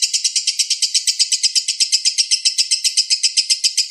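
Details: Balibu lovebird delivering training song: loud, regular high chirps about four per second, each a short rasping burst, kept up evenly throughout.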